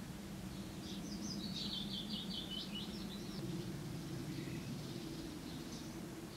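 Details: A common redstart at its nesting site in a barn wall at Llaingyfre, 24 May 2012, gives a brief, thin, high warbling phrase, then a few faint notes, over a steady low rumble.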